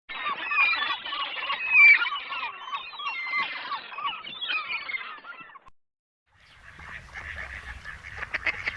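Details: Mallards in full breeding season, two males courting a female on the San Lázaro seafront at Noia, Ría de Noia: a dense run of overlapping nasal calls for several seconds, a brief silence, then softer chatter over low rumbling background noise.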